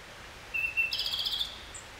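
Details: Japanese robin subsong (guzeri): a clear, steady high whistled note, then a fast, even, buzzy trill lasting about half a second, and finally one brief very high note. The background is quiet.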